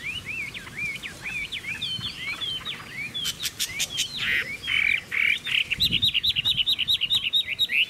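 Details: Caged Chinese hwamei in full song, a rapid stream of slurred whistles and upward flicks that builds near the end into a loud, evenly pulsed series of repeated notes.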